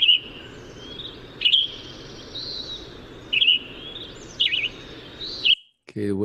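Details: Western Tanager song of separated burry warbled phrases with pauses between them, over constant background hiss, ending with a brief human voice.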